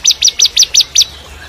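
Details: Bar-winged prinia, crystal type, used as training song for shamas: six loud, bright, high chirps in quick even succession about five per second, then fading into soft background hiss.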